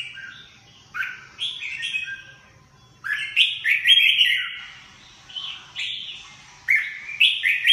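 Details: Lively whistled song of a red-whiskered bulbul: quick clusters of rising and falling clear notes, some slightly buzzy, given in groups separated by short silences.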